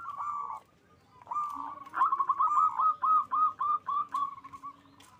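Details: Local zebra doves from an Indonesian breeder sing strongly, song aimed at raising mating drive. A short cooing burst, a pause, then a sustained fast staccato trill of bright beaded notes slowing toward the end.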